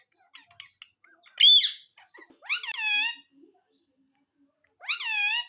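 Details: Talking pet parrot indoors: clicks and faint chatter, a sharp loud squawk, then two long, bright, wavering calls sweeping down in pitch, separated by quiet gaps.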